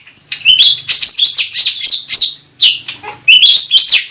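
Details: Cucak rante bulbul, a lure and therapy sound for the bird: a rich run of warbled, swooping notes, a brief pause, then another fast jumbled phrase, over a faint low hum.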